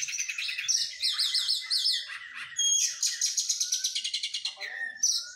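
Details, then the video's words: White-rumped shama in post-moult training, delivering a rich rapid song of repeated high looping notes, trills and sweet whistles, ending with a brief rising whistle. "KACER PRO HYPER LATIHAN FISIK PASKA MABUNG"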